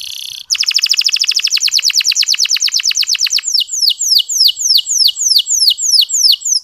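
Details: Canary song in the soft, clear ngeriwik style, played to spur sluggish male canaries into singing: a brief buzzy note, then a rapid trill of about thirty short downswept notes, slowing into a series of longer descending whistled sweeps.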